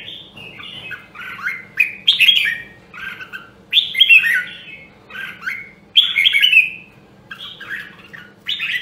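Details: Voice-training song of a red-whiskered bulbul in the rare Nam Đông, Huế style: clear chirpy warbles in repeated bursts roughly every two seconds, some notes dropping in pitch, over a quiet low hum.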